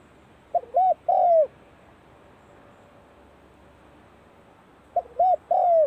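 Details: Spotted dove practising its call at the start of the cold season: two cooing phrases about four seconds apart, each two short mid-pitched coos followed by a longer, louder falling coo, over a quiet background.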